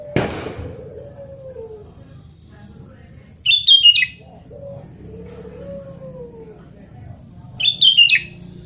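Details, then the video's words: Sooty-headed bulbul song used as therapy for a bird that no longer sings: two brisk, bubbling phrases about four seconds apart, with soft low slurred whistles between them, a thump at the start and a constant faint high tone. "KUTILANG GACOR SUARA ASLI ~ TERAPI KUTILANG MACET BUNYI"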